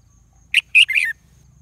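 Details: A single crow from a red junglefowl that no rival answers: three quick bursts, the last longer and sliding downward, over a low rumble.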